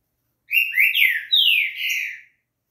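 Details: Green-winged saltator (trinca-ferro) song used to warm up a kept bird to sing: one phrase of loud, rich whistles, a short rising note then two long downward-sliding slurs, about two seconds, on a clean, quiet background.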